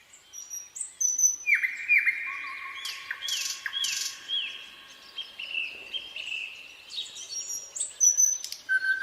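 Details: Nightingale song with varied phrases: long clear sustained whistles, sudden loud buzzy bursts, quick rattling trills and high thin notes, the loudness swelling and dropping throughout the phrase.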